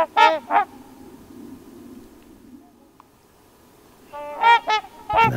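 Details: Trumpeter swans, a flock of roughly three dozen, calling at a wetland in western Wisconsin in fall; loud brassy honks in doubled bursts at the start and end, with a quiet stretch between.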